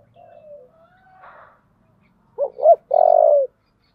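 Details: Spotted dove, 'giọng thổ' voice, cooing heatedly to urge a fight. Faint, long, gliding coos from a distant bird come first. Then a loud phrase follows: two short upswept notes and a long, even coo.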